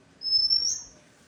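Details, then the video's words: A single drawn-out, high, thin whistle from an Oriental magpie-robin, held level then lifting slightly before fading, in a quiet setting. "വണ്ണാത്തിയുടെ പാട്ട്"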